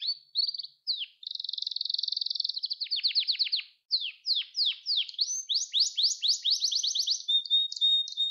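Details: Canary song meant to teach young canaries: short clipped notes, then a dense steady trill, followed by separate downward-sweeping whistles speeding into a rapid rolling tour with a thin level tone at the end.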